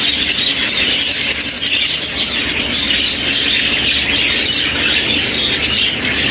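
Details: Budgerigars in a large breeder's aviary in England, about 400 birds kept indoors for winter: dense, unbroken chatter of high chirps, warbles and squeaks, many birds calling at once throughout.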